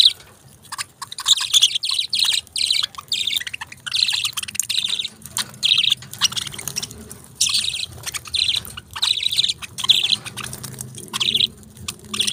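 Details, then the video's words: Budgerigars, pet parrots, keep up a steady stream of scratchy, buzzy warbling chirps in short bursts, nearly continuous chatter throughout. "Beautiful Chirping Sounds Of Tiny Titans"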